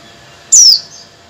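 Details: Female Oriental white-eye calling to the male, a recording used as a lure to get males singing: one loud, thin, high whistle sliding steeply downward over about a quarter second, then a soft fading tail, against a quiet background.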